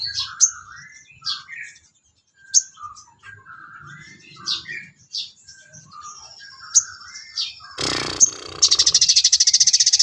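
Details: Songbird training material of a sooty-headed bulbul: scattered short warbled notes and chirps separated by pauses, ending in a loud burst of rough noise and rapid buzzing.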